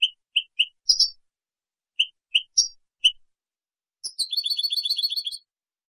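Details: European goldfinch song on a recording for training juveniles: clipped high chirps in twos and threes, a short buzzy note, then a fast tinkling, twittering trill of about a second; no other sounds.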